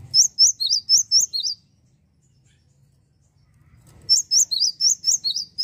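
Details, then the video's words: Energetic Java sparrow song meant to rile up rival birds: two bursts of about six to seven sharp, high, bell-like chirps, each falling then rising, separated by a few seconds of near silence. "SUARA AMPUH GELATIK GACOR bikin Emosi burung lawan"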